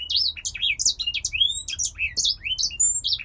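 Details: Pet male grey singer finch, originally from Poland, sings a bright, fast series of whistled slurs, chirps and upward sweeps, closely spaced and unbroken, in a quiet indoor setting.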